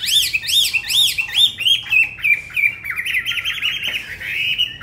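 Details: Tame Chinese hwamei in a cage opens with a series of arched, rising-and-falling whistled notes repeated about twice a second, then breaks into a fast, jumbled warbling trill that runs on steadily.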